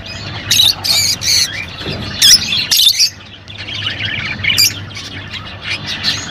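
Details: Rosy-faced and Fischer's lovebirds squawking to stimulate mating: a few loud shrill bursts early on, then fainter scratchy twittering continues over a low background hum.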